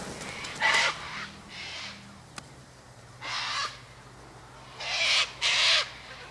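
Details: Sulphur-crested cockatoo by an eastern gate, eating scattered sunflower seeds, wheat and birdseed mix alongside other birds; five harsh, raspy screeches, each under a second, come in uneven bursts over a faint low hum.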